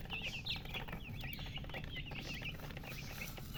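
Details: Thirsty poultry chicks calling for drinking water: quick, shrill, falling cheeps clustered in busy bursts, with a droning low-frequency hum and scattered clatter underneath.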